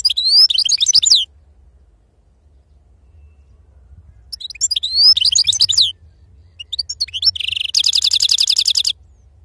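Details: Goldfinch delivering wild-type sarfati song. Quick bursts of bright, sliding twitters alternate with pauses. The last phrase ends in a buzzy, rapidly repeated trill of high notes lasting over a second.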